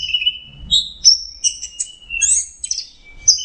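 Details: Geokichla citrina, the orange-headed thrush, pours out a sweet, fast song. Paired high and mid whistles, sliding notes and brief chattering phrases tumble closely together in a clean recording.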